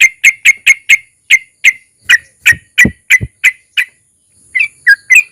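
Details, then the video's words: Sooty-headed bulbul (trucukan) lure song, 'ropel' style with 'narung'; spaced, clear whistled chirps repeated at a slowing pace, with a couple of low thumps and a brief gap before three final notes. "KICAU suara trucukan gacor ROPEL PANJANG DI SERTAI NARUNG Ampuh MENJADIKAN TRUCUK LAIN RAJIN BUNYI"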